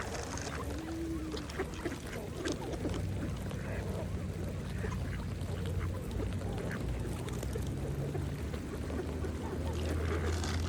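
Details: Mallard ducks feeding on a pond: low, muffled quacks and rapid dabbling pecks repeat almost continuously over a constant low hum and soft water sounds.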